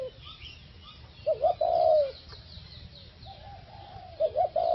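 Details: Four-year-old caged decoy Spotted Dove, recently moved to a new cage and a new area, cooing well: two low, mellow, hollow coo phrases, each a pair of short notes ending in a longer drawn-out coo, separated by a quiet pause.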